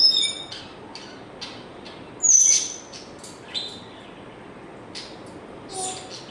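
A grey parrot gives high, clear electronic-sounding whistles and beeps, with one loud bright tone midway, mixed with a few short clicks.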